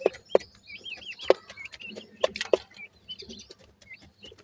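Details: Grey francolin chicks calling: a busy stream of thin, wavy, high chirps that bend up and down and overlap one another, broken by several sharp loud clicks or taps and a low background hum.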